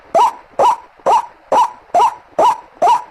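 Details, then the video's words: Seven quick upslurred croaks of a white-breasted waterhen, harsh and evenly timed, from a recording used to lure the birds. "Suara Pikatan ruak ruak"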